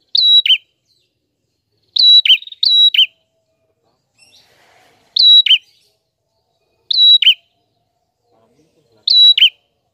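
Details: Prenjak (prinia) giving spaced song notes over ten seconds: short level whistles each ending in a downward chip, sometimes doubled, roughly every two seconds, with a faint low murmur once in the background.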